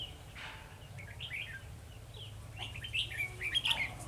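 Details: Caged red-whiskered bulbul decoy at a trap, 2 December 2020, singing to challenge rivals: soft scattered chirps building to a loud, quick run of warbled notes at the close, with a faint flutter.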